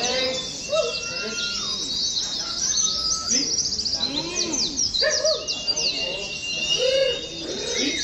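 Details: A row of caged Oriental white-eyes in a competition-style training session. A rich, high twittering chorus swells and dips, with sliding whistles and short arched chirps recurring throughout.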